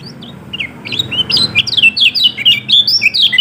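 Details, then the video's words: Lure song of the yellow-throated white-eye, kecial kuning of Lombok: an accelerating stream of high, bright, swooping whistles and chips, steadily louder toward the end. "Pancingan Kecial Kuning Males Bunyi Agar Cepat Buka Paruh"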